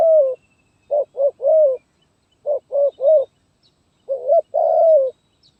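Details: Song of a zebra dove in the stuttering 'gagap tindan' (sepatah) style, dated 23 January 2022: quick clusters of clipped coos ending in drawn-out rolling notes, repeated in rhythmic bursts over clean silence.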